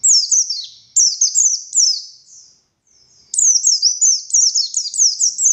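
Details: Very high, shrill twittering from a buxtoni Oriental white-eye, rapid sliding notes in a ngalas style burst, a silent gap of about a second, then an equally fast stream of piercing chirps.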